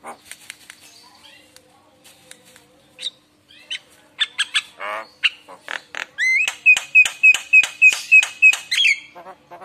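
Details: Javan myna singing as a lure to make other mynas respond: scattered squeaks and harsh notes, then a fast run of clicking notes over a steady high whistle, ending with a rising squeal.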